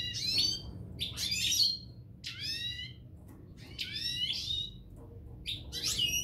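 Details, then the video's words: A pair of European goldfinches gives bright, tinkling twitters in quick bursts, about one every second, with a low steady hum underneath. "Couple Chardonneret"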